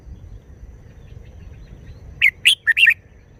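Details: Red-whiskered bulbul performing a short wild-style song phrase: after nearly three seconds of quiet, a quick burst of four bright, warbled whistled notes, slightly rising and falling, over a faint low background hum.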